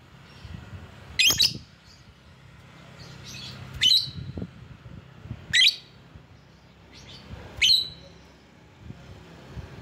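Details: Lure call of a lovebird used to summon rival birds: sharp, high, shrieking notes repeated roughly every two seconds, four strong ones with quieter squeaks between, over a low background hum.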